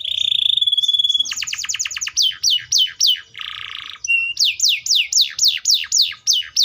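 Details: Atlantic canary song that opens with a steady whistled tone and a fast trill. It continues with repeated descending sweeps and a harsh buzzy burst, then another run of sweeping notes.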